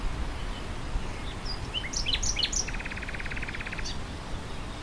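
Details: Nightingale song amid wind in grassland: scattered sharp, varied chirps and slurred notes give way to a fast, even rattle of about twenty rapid repeated notes, against a constant rushing wind backdrop.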